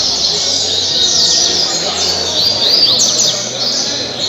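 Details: At Parque Mambucaba in Angra dos Reis, Brazil, a double-collared seedeater sings in caribe style: fast high chattering with a clear whistled note midway and descending slurs near the end.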